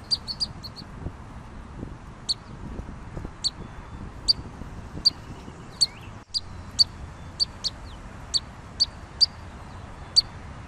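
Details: High, thin piping notes from a pygmy nuthatch, first a short quick cluster, then single peeps spaced about half a second apart, with a soft low rumble underneath.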